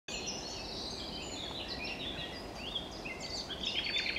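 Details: Common nightingale (Luscinia megarhynchos) singing at Wijgmaalbroek on 22 April 2020: rapid, varied high whistles and chirps in quick bursts, over a steady hiss of background noise.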